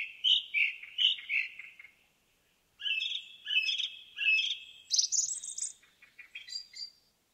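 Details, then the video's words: In a forest, an indigo bunting delivers a string of sweet whistled notes in pairs, pauses briefly, then sings a longer, busier phrase ending in very high, sharp rising notes. "NATURE SOUNDS: Indigo Bunting in the Forest"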